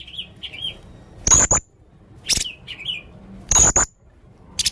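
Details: Male Blue-crowned hanging parrot in full voice with strange calls: soft wavering whistles alternating with two loud, piercing double shrieks about two seconds apart, then a final brief burst.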